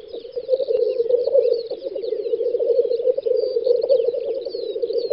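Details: Black grouse gathered at a spring lek in western Russia, May 2019: an unbroken, murmuring bubbling chorus fills the whole stretch, with faint high whistles from other birds in the background.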